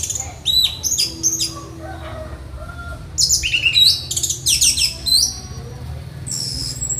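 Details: Orange-headed thrush, a song master under training, giving rapid high chips and sharp whistled notes in dense clusters, separated by short pauses, with a low steady hum behind.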